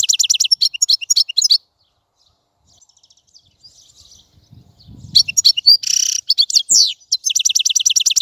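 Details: European goldfinch twittering rapidly at first, then a long quiet stretch with faint rustling, followed by a harsh buzzy note and a renewed run of fast, high, repeated chirps.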